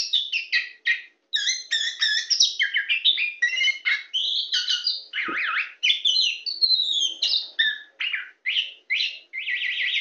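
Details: Very tame Oriental magpie-robin, a champion bird, singing from a person's hand in a dense, nearly unbroken stream of high whistles, quick slurs and warbled trills that shift phrase every fraction of a second.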